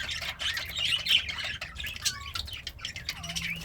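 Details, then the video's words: Pet budgerigar, described as happy while eating greens, giving dense scratchy chattering chirps with squawky notes and a few whistled slides, steady low hum underneath. "The Sounds of a Happy Budgie - Chirping, Singing, and Eating Greens"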